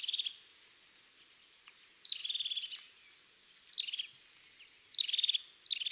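A European crested tit gives very high, thin notes that run into short, buzzy, descending trills, repeated every second or so over a quiet background.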